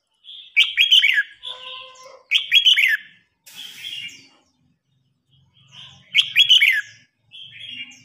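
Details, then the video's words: Red-whiskered bulbul singing in a contest in which an old wild-caught bird challenges a young bird. Short, bright warbled phrases with quick rising and falling notes, repeated in three bursts with quieter twitters between them. A faint low hum sits underneath. "Chào mào hót đấu.Rừng già chinh phạt bổi non.bổi non ức chế lên lửa"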